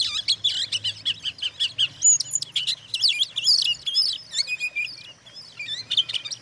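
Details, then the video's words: Oriental magpie-robin song played to make other magpie-robins agitated: continuous fast varied whistles, chirps and slurred notes, with a faint low hum beneath. "suara kacer buat pancingan kacer lain emosi"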